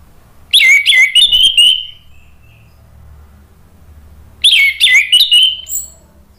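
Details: Orange-headed thrush song used as therapy for a bird that has stopped singing. Two loud bursts of high, sliding whistles and sharp chips, separated by almost three seconds of quiet with a faint low hum.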